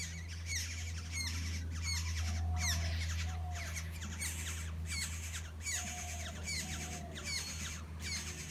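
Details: Black-hooded oriole nestlings being fed in the nest: fast, scratchy begging chatter, three or so notes per second, with steady low humming noise beneath and an occasional soft lower call.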